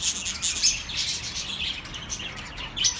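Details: Short burst of lively bird chirping for lonely pet birds, quick high tweets and thin whistles overlapping without pause.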